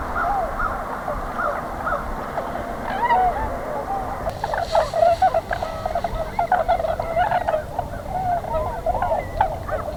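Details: A large flock of tundra swans at a spring migration stopover near Pinery Provincial Park, southwestern Ontario, in the morning, calls continuously: a dense overlapping chorus of mellow, high-pitched hoots and yelps, with a steady rumble of wind or distant traffic beneath.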